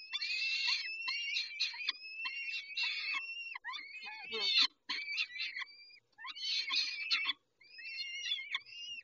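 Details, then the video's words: Peregrine falcon feeding at Dobra, 11:48, dated 19-05-21. Persistent, rasping, whining calls run almost continuously, with several long, thin, rising whistled tones, a short buzzy break midway and a few silent gaps. "Sokoły - Dobra karmienie o 11.48 19-05-21"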